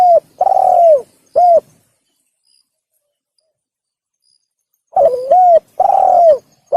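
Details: Spotted dove lure call: a long falling coo and a short coo end one phrase, then after a three-second pause another runs stuttered note, coo, long drooping coo. Mellow and low, in a quiet setting.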